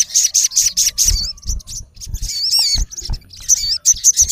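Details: Male olive-backed sunbird calling a rival in the wild: strings of rapid piercing chip notes in short rhythmic bursts, broken by wavering squeaky slurs and brief pauses.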